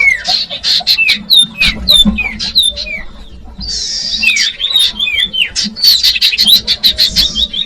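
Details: A common iora, known as sirdung or cipoh, sings to lure young birds: dense mix of high chips, slurred downward whistles and buzzy trills, busy and continuous throughout.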